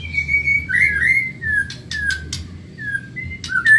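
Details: Caged-bird training recording of a Medan white-rumped shama: clear drawn-out whistles, a swooping warbled phrase, then short falling whistles spaced by soft clicks and pauses, with a low hum underneath.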